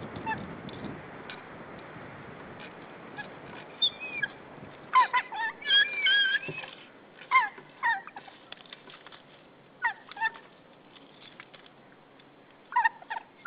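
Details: Male white-tailed eagle bringing prey on 15 April 2013 raises an alarm at intruders near the nesting territory: harsh, harmonic yelping notes in irregular clusters amid soft background noise.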